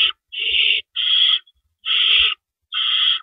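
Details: Nighttime owl nest, April 4, 2012, around 4:30 AM, with rabbits carried in and out; drawn-out harsh hissed screeches follow each other quickly, four full bursts and short pauses between them.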